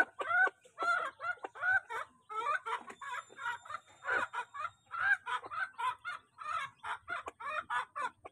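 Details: Crowd of home-kept chicks feeding: loud, harmonic, falling calls in a steady rhythm of roughly two per second throughout, overlapping one another.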